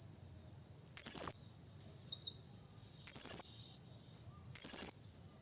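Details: Blue-crowned hanging parrot lure call: three loud, buzzy, very high bursts roughly every two seconds, each a rapid stutter of notes, with a faint steady whine between them.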